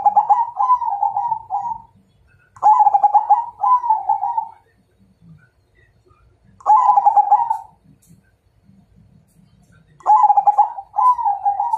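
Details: Zebra dove of the Majapahit type, singing as a challenge to fight: four bursts of rolling, trilled cooing around one pitch, each about two seconds long, separated by pauses of two to three seconds, in otherwise quiet surroundings.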